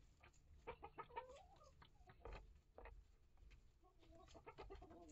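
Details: Backyard hens, one year old, kept with newly integrated chicks in a coop and run; bursts of short nasal clucks and rising squawky notes come in two busy groups, over low hum and occasional bumps.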